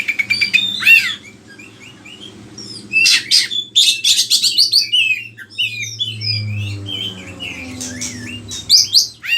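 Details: Oriental magpie-robin in full, active song, used as a lure sound to train other birds: varied whistled phrases, rising and falling slurs, and dense bursts of harsh chattering notes, with short quiet gaps between phrases.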